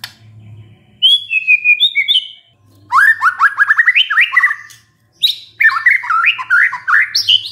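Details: White-rumped shama, a stressed bird suddenly singing in response to a lure recording: a drawn whistled phrase, then loud rapid runs of rising and falling sweeping notes with a low hum underneath.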